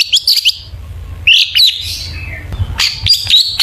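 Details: Lure song of a long-tailed shrike, played to make shrikes sing: short bursts of scratchy, buzzy chatter with high squeaky notes, separated by brief pauses, over a low background hum.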